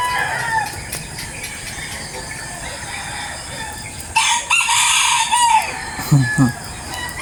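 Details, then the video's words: A rooster, one of the neighbourhood's morning crowers, gives one loud, harsh crow of about a second and a half that rises and then falls away. Steady background hiss and a few low knocks follow. "pakinggan natin ang pagtilaok ng mga manok"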